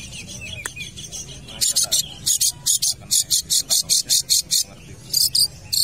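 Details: Long-tailed shrike singing actively at a football field: a run of loud, harsh, buzzy rasping notes, about two and a half per second, follows a quieter, scratchy opening with faint low background hum.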